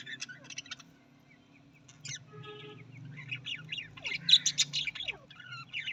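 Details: Australian parrots calling, likely several birds kept together: busy chirps, short rising and falling whistles and harsh squawky notes in dense overlapping bursts, with a steady low hum underneath.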